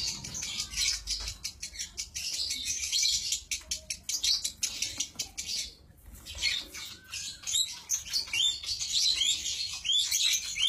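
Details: A lovebird delivers a long 'konslet' song of fast, rasping high chatter and rapid clicks, pausing briefly midway, then resuming with quick whistled slurs and buzzy trills.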